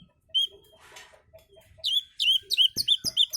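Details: Relaxed lure song of an Oriental magpie-robin: a lone clear whistle and a soft rasp, then a fast string of bright, repeated chirping notes, about four each second, with sharp clicks.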